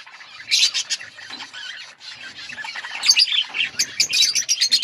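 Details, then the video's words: Many budgerigars in an outdoor breeding colony give a busy mix of high chirps, squawks and warbling chatter, swelling louder toward the end. "Budgies birds chirping sounds in outdoor colony"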